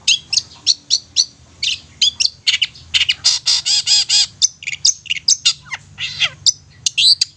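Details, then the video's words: Long-tailed shrike song used as a lure to make silent young shrikes sing and get worked up: a fast, varied run of sharp chirps, buzzy bursts and harmonic rasping notes, densely repeated with short gaps. "Cendet Bisu Miyik Mbagong bakalan GACOR dan EMOSI dengan Pancingan Cendet Ini"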